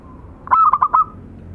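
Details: One short phrase from local zebra doves, a male and a female used as tutor birds: a soft lead-in tone, then four quick rolling coos ending in a brief drawn-out note.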